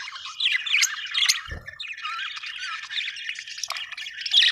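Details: Continuous budgerigar warbling, full of scratchy chirps and rising squeaks, broken by one dull thump partway through.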